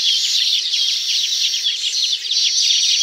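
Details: Busy, unbroken twittering of the Baya weaver around its woven nests in tropical country, with fast scratchy chirps about three per second layered into a high, hissy chorus and a few thin whistled notes.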